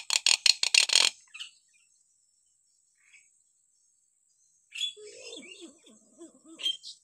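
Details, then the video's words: Hill myna calling, offered as a tutor recording for untrained mynas: a fast series of sharp, dry clicks lasting about a second, a pause, then scratchy notes and a soft, wavering, gurgling warble. "variasi suara burung beo"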